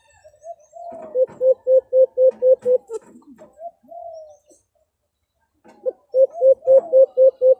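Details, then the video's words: Brown dove sounds used for hunting, known locally as huni ng alimokon. Soft, wavering low notes lead into a fast run of about eight evenly spaced hollow coos. A quieter gap follows, then a second similar run. "Huni Ng Alimokon Para Lumapit"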